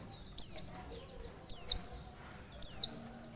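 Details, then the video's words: Oriental white-eye lure call, used to make other birds answer with open beaks: three thin, high, downward-sliding notes about a second apart, each a quick bright slur, over quiet background. "PANCINGAN PLECI pasti AMPUH 100% nyaut buka paruh."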